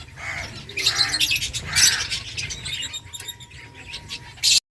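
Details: Finches in a colony chirp while eating eggfood: dense bursts of high twittering notes in the first two seconds, then sparser tweets over a faint steady tone and low hum, ending in a brief loud rustle.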